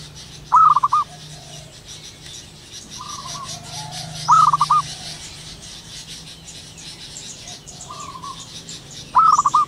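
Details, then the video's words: Local wild zebra dove in the morning giving three spaced bursts of five fast staccato coos, roughly every four seconds, with weaker echoing coos from other doves and a low steady hum. "burung perkutut lokal alam gacor penuh gairah"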